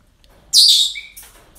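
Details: Parrot at a breeding centre on an ordinary day: one harsh, buzzy screech about half a second long, loud at first and then trailing off, with a short thin whistle just after it, over quiet background.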